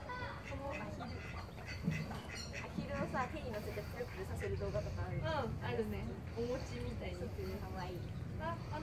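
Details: Call ducks at Inokashira Park Zoo, Tokyo, around 4 pm, give a busy string of loud, nasal quacks and squawks over a steady murmur of people talking nearby.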